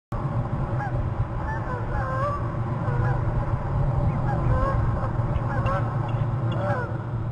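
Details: Female bald eagle on Hornby Island calling from a tree while the male fishes in front of the nest, caught on a nest camera; thin, high, curving chirps repeat in loose series over a steady low rumble of wind and camera noise.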